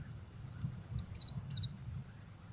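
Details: Brief burst from a lure-bird blue-crowned hanging parrot: a few shrill, very high chirps, one drawn into a thin level whistle, then two buzzy high notes, above a low rumbling background.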